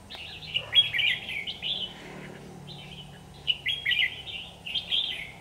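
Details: Red-whiskered bulbul recorded with an AX40 4K camera. It gives bright, bubbly chirped phrases in two bursts with a pause between them, over a steady low hiss and hum.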